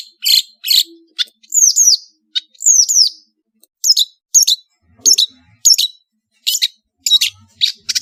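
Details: Madura long-tailed shrike singing a master song: harsh rasping notes interspersed with high, sharply falling squeaky whistles, in irregular bursts.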